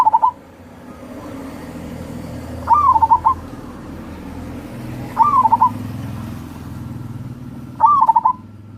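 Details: Zebra dove of local wild stock, a lure recording to prompt lazy birds to sing; short rolling cooing phrases repeated roughly every two and a half seconds over a steady low rumbling background hum.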